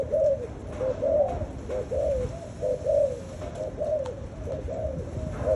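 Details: Spotted dove kept in captivity, giving a run of soft, low, rounded coos in quick clustered notes about once a second, with a steady background hum and a few faint clicks.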